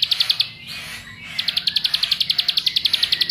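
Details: Ciblek sawah, or bar-winged prinia, singing as a lure to set other birds off: a short burst of rapid high chips, a pause of nearly a second, then a steady run of bright repeated notes to the end.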